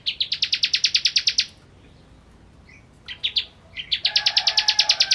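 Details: Ciblek (bar-winged prinia) with kristal song: fast, even series of shrill high notes, a pause, then a stuttering restart into another rapid train, with a low steady whistle underneath.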